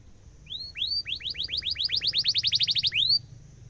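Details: Sharp rolling trill from a canary, used to train young birds: a rising whistle, then about twenty quick upswept notes speeding up, closing with one longer rising swoop.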